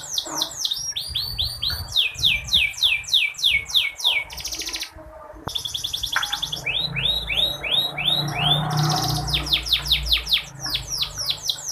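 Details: Female canary sound meant to stimulate reluctant male canaries to sing: fast runs of high, falling slurred notes and buzzy trills, with a brief pause midway before the quick sweeping phrases resume.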